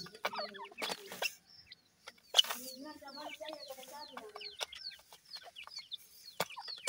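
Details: Seven-day-old grey francolin chicks feeding: clear high peeps, many falling in pitch, repeated in quick succession, with a brief low murmuring voice in the middle and occasional loud clicks.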